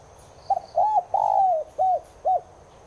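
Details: Cooing of a Spotted dove (Streptopelia chinensis tigrina), used to spur caged doves into calling: a quick stuttered opening, a long sliding coo and two short arched notes closing the phrase, over soft background hiss.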